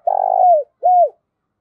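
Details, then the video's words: Spotted dove calling as a decoy to draw wild doves: a long, buzzy, pulsing coo that slides downward, then a short, clear, arched coo after a brief pause. "tiếng cu gáy mồi gáy gọi bổi hay nhất mọi thời đại"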